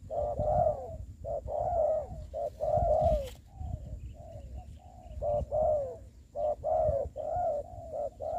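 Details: Spotted dove used as a ground decoy for trapping during the COVID-19 season, repeating rich, mellow coos almost continuously, one brief rustle midway and a faint steady high tone.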